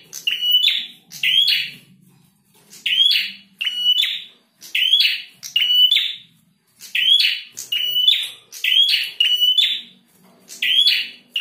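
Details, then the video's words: A gacor male prinia gives strident, buzzy, click-led phrases in rapid doubles, each burst repeated roughly every one and a half to two seconds over a faint low hum in the background. "Prenjak Jantan Gacor"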